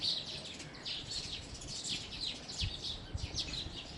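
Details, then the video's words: House sparrows chirping in a busy chorus: many short, bright, high chips overlap without pause for four seconds, with a low rumble of background noise underneath. "House Sparrow Chirping | Sparrow Chirping Sounds"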